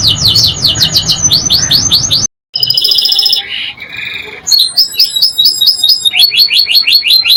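A canary sings fast, high rolling trills and bright whistled phrases, switching quickly from one pattern to the next.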